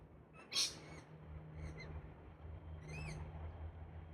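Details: A wild Galah, one of a bonded pair in park trees in Australia during a pair-bonding ritual, gives a sharp, scratchy screech, then a few fainter, arched, rising-and-falling notes over about three seconds, against a steady low rumble.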